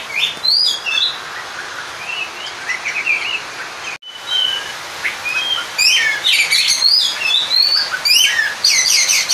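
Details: White-rumped shama song used to provoke a rival: rich, varied whistles and warbled phrases, rising and falling slides mixed with rapid high twitters, continuous apart from a short break; steady background hiss.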